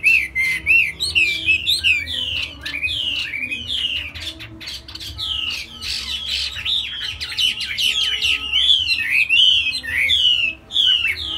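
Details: A caged Chinese hwamei pours out a loud, rich run of slurred whistles and sweeping notes, high and varied, with faint room hum beneath.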